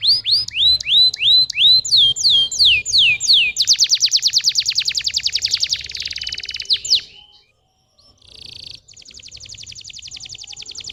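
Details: Stimulation song of a canary aimed at young birds reluctant to sing. Repeated looping whistles about every half second build into a fast, loud rattling trill, then after a short pause comes a softer buzzy trill.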